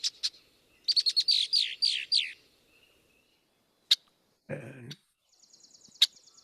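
Red-winged Blackbird giving sharp chack notes, a quick run of high descending whistles, then a thin buzzy trill, with a brief lower rasp between.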